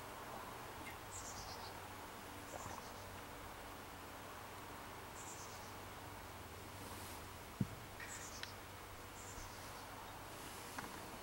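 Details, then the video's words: Fledging chickadee chicks, two of four leaving the nest on May 24th, 2015, give thin, high, descending runs of four or five quick notes, heard several times at irregular intervals; soft background hiss and one sharp click. "Chickadee Chicks leaving the Nest"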